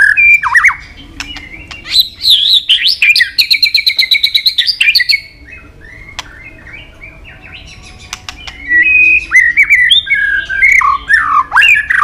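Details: White-rumped shama delivering a long training song of varied forest voices with 'tach' tail-flick clicks. Whistled slurs give way to a fast rattling series of clicks, a quiet gap, then renewed rich whistled phrases.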